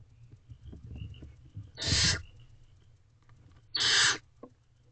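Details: Midnight feeding of owlets by a female barn owl in a nest box, 23 April 2023: two loud, hoarse hisses about two seconds apart, preceded by soft scratching and shuffling.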